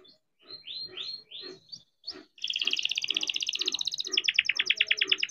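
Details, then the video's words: Young canary, bred and kept in captivity, singing a lure song to get stalled or learning canaries singing. A few upslurred whistles, then a dense fast buzzing roll and rapid sharp repeated chips, over a low background murmur. "KENARI GACOR DOR COCOK BUAT PANCINGAN KENARI BIAR GACOR || KENARI GACOR PANJANG"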